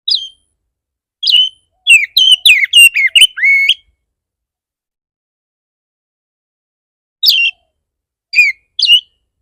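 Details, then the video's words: Lure song of an Oriental magpie-robin ('kacer bar bar'), used to make other magpie-robins answer. A quick run of bright whistled, slurred notes, a long pause, then three more isolated sharp whistles. "Pancingan burung kacer bar bar naik pitam kacer lain"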